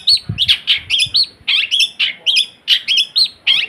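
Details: Long-tailed shrike imitating other birds' voices: a rapid, warbled run of twisting, scratchy and whistled notes, each about a quarter second, delivered in an almost continuous chatter, with brief low knocks early on.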